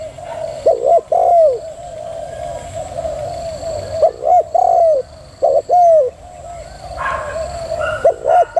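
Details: Female spotted dove in thúc gù cooing, repeating short phrases of two or three mellow hollow coos, the last note slurring downward. Phrases recur every second or two, with faint higher chirps in the background near the end.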